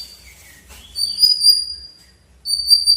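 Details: White-rumped shama song used to challenge a rival: thin, sustained high whistles with overtones, in two drawn-out phrases separated by a short pause, over faint low background hum.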